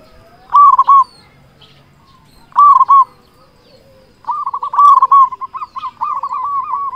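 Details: Local zebra dove with a strong voice, used as a lure for other zebra doves: two short rolling coo bursts two seconds apart, then a long sustained run of rapid looping notes.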